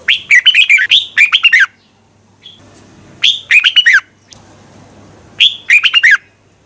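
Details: Contest-style red-whiskered bulbul song used for training, with long runs of bright warbled notes in three bursts separated by short quiet gaps.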